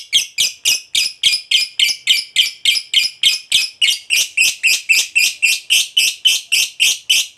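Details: Lovebird fighter's 'ngekek panjang' long chatter, used as a lure to provoke other lovebirds: a very regular run of harsh, rasping notes, about three and a half per second, sustained for over seven seconds.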